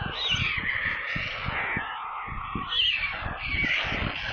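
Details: A nest of hungry white storklings near Kaluga in central Russia, live nest camera: shrill, grating screeches run without pause, rising slightly at times, with soft low thuds underneath.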